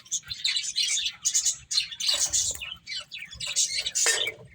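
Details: High, rapid chirping from finches while playing, chattering bursts rising and falling in loudness, with a few quick squeaky notes among them.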